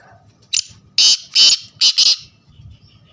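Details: Black francolin call: a loud, grating series of five harsh notes packed into about a second and a half, the middle notes longest and raspiest, with quiet low rumble behind.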